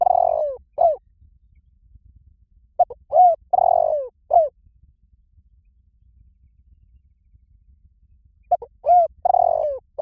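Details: Spotted dove cooing to lure wild doves: three phrases of low, mellow coos, each with short clipped notes around a longer drawn, falling coo, spaced by a few seconds of quiet with faint low rumble.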